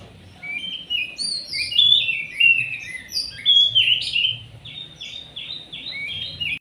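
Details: Lively white-rumped shama song used to lure other birds, a rich varied run of whistles, slurred notes and buzzy trills, ending in a series of short repeated rising notes.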